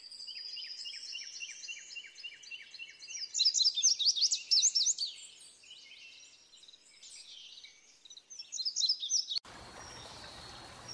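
Indigo Bunting singing high, bright phrases of quick paired notes over steady chirping from other birds. A burst of rough noise cuts in at the end.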